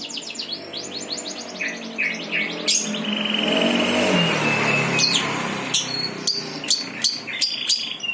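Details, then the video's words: Bird giving fast descending notes and short chirps, interrupted midway by a loud rushing broadband noise, then resuming with sharp, regularly spaced clicky notes. "Burung Pada Berkicau"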